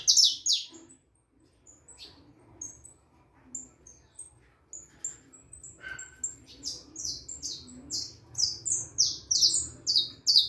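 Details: Young harlequin saffron finch, four and a half months old, singing: sparse high chirps at first, then a quickening run of bright, downward-slurred notes repeated about twice a second, growing louder toward the end.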